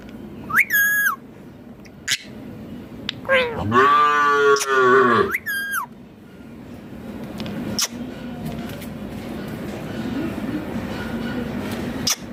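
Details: Green Indian ringneck parrot imitating human speech, a short nasal phrase followed by a longer, rich, voice-like run of syllables and another quick phrase, then scattered clicks and soft background noise.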